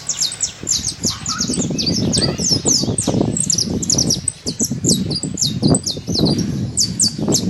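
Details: Saffron finch at liberty in nature, pouring out busy high chips and short slurred tweets in a continuous run, accompanied by a steady low rumbling background.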